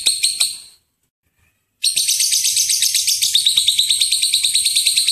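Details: Lovebird ngekek chatter used as a lure recording: a few rasping high notes, then about a second of silence, then a renewed fast run of shrill buzzy notes that grows denser toward the end.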